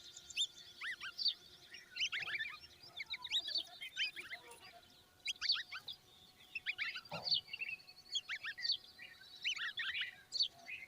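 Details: Young common babblers standing by their mother. Bursts of high, squeaky chirps come in clusters with short gaps between them, over a faint steady hum.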